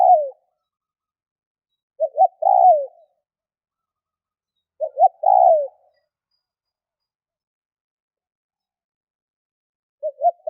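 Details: Spotted dove cooing repeatedly, roughly every three seconds. Each phrase is two quick clipped notes and then a drawn-out, falling coo, mellow and low-pitched, in an otherwise silent setting.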